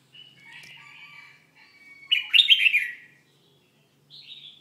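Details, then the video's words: Red-whiskered bulbul during its moult: soft warbling notes, then one loud, rich, rolling phrase of quick up-and-down whistled notes lasting about a second, followed by a short, faint higher phrase. "Chao mao dang thay long"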